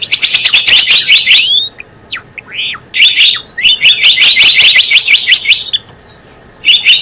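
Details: Trapping lure of the Java sparrow: rapid rattling series of high chirps, a gap filled with a few slurred whistles, then another fast chirping run and a short burst after a silence.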